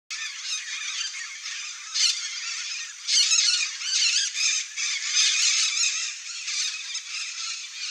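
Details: Red-bellied macaws (Orthopsittaca manilata) screech harshly and continuously in an overlapping flock chorus, with louder bursts of grating squawks every second or so.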